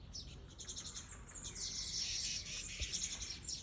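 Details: Weaver birds in a dense, high chattering chorus: rapid, overlapping buzzy twitters and chirps run without pause for the whole stretch, with faint low rumble underneath.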